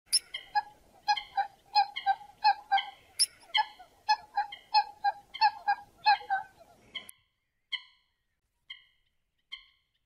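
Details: Coot calling in a rapid series of short, sharp, nasal notes, about two or three each second for seven seconds, then four spaced, fainter calls after a pause.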